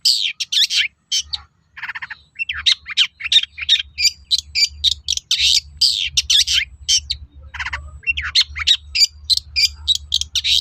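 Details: Long-tailed shrike in full, energetic song played to draw answers from other shrikes: a long, dense, uneven outpouring of harsh rasps, buzzy trills and piercing high chips with brief pauses, over a low background hum.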